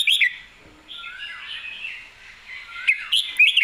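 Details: Red-whiskered bulbul with rich warbling, slurred whistles: a sharp opening note, then a continuous wavering phrase with falling glides, ending in several quick bright notes.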